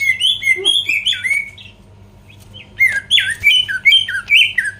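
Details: Greater green leafbird singing to provoke rival birds: loud whistled notes sliding down and up, some with harsh buzzy overtones, in quick phrases, with a pause in the middle before a second burst of varied whistles.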